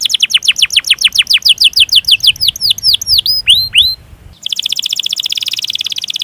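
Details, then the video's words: Canary song with long rolls, meant to provoke reluctant canaries into singing: fast descending trill notes slowing into curved whistles, a brief pause near four seconds, then a dense high buzzy roll. "Masteran Suara Burung Kenari Ngerol Panjang Cuit Cuit emosi"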